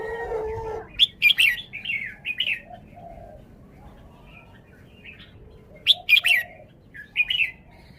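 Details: Caged red-whiskered bulbul showing its song style: two loud bouts of sharp clattering notes leading into bright slurred whistles, separated by a quiet gap with soft low notes, and a short low tone at the start.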